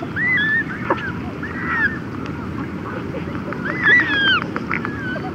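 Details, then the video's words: Red-gartered coot chicks and adults trade conversational calls: short, curving nasal calls from adults and thin high squeaks from chicks, in loose clusters over a steady low background rumble. "Red Gartered Coot / Red-Gartered Coot. Chicks And Adult Conversational Calls"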